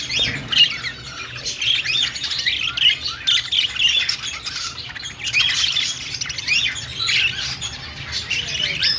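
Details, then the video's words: Budgerigar chirping during singing and dancing, a lively run of buzzy twitters and high squeaky notes in pulsing bursts over a quiet background. "Budgie singing and dancing || parakeet chirping sounds"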